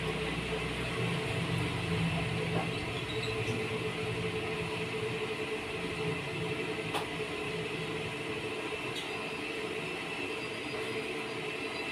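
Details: Steady broadband rumble and hiss with a low droning hum throughout, and no animal voices heard.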